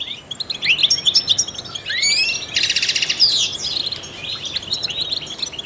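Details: Trained European goldfinch singing to stimulate other songbirds: rapid liquid twittering with sliding whistled notes, then a dense buzzy trill near mid-clip before varied chattering phrases resume.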